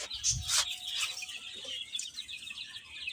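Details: Chicks eating and playing, a crowd of young chickens peeping in high, rapid, overlapping chirps, opened by a couple of louder sharp bursts and a soft low thump.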